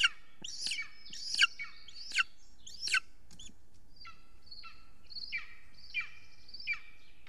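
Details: Evening of 3 June 2020 at an Estonian golden eagle nest camera during delivery of huge prey: a burst of loud, harsh descending yelps, then a softer series of thin whistled, falling calls at regular spacing.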